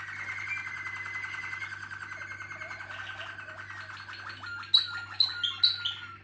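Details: Malinois Waterslager canary sings a low, gurgling rolling passage, then adds short bright high whistles repeated about every half second near the end; steady room hum throughout.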